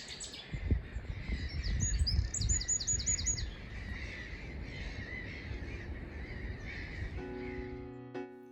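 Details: At a nature reserve on a sunny spring morning, a wren pours out fast, high, shrill notes and trills, followed by a loud explosive burst from a Cetti's warbler; a steady tonal hum enters at the end.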